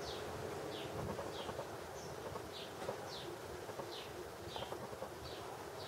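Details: A barn swallow family nesting inside a garage gives short, high, downslurred chirps repeated roughly twice a second over a steady low rumble of background noise.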